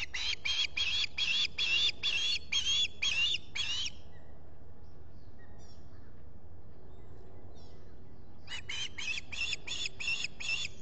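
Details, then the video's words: Osprey squawking at a nest watched by a solar-powered camera at Salt Point in the Finger Lakes, US, in July: a fast run of harsh, high, ringing squawks for four seconds, a pause with faint background, then another burst. "Olan squawking"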